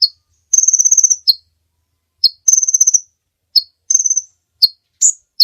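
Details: High insect-like trills from a kolibri ninja sunbird, each under a second long, broken by sharp single chirps, on a clean recording made to train other birds.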